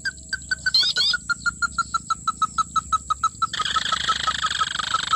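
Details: Sintar api, a red-legged crake, calls during trapping with a long run of evenly spaced short notes, slightly falling in pitch, about three a second, with a brief high chirp near the start and rising background rustle later.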